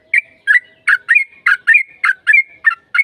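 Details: Fast, lively yellow-vented bulbul song used to provoke a reply from another bird: about eleven bubbly, liquid chortles in a steady rolling run, each a quick dipping gurgle, nothing else heard.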